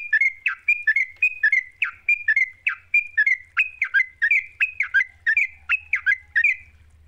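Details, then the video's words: Sooty-headed bulbul in energetic 'gacor' song as a singing lure: a steady series of clear slurred chirps, roughly two each second for seven seconds, over a faint low hum. "Pancingan trucuk GACOR, sekali dengar trucukanmu gak bisa diam."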